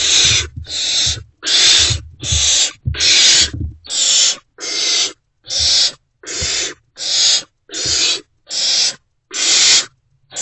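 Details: Still unfed, great horned owlets in a nest box greet a returning parent before dawn on 3 March 2024; steady series of about thirteen harsh, noisy screeches, each under half a second, spaced evenly, softer thuds beneath.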